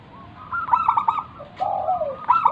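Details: Zebra dove of a local Indonesian strain, cooing to lure other doves into singing: rapid staccato coos in a bubbling run, a lower falling mellow coo, then another quick run of notes.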